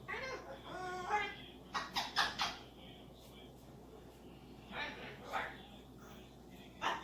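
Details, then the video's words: A pet cockatoo chatters in speech-like, wavering tones, then gives a run of short, harsh, raspy squawks with pauses between them, in a quiet room. "Cockatoo Talking and Making Noises"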